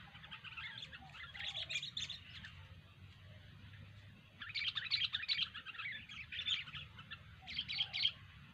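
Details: Kutilang (sooty-headed bulbul) singing gacor, energetically: bursts of fast, high, jumbled chirping separated by quieter gaps of a second or two, with steady low background rumble throughout.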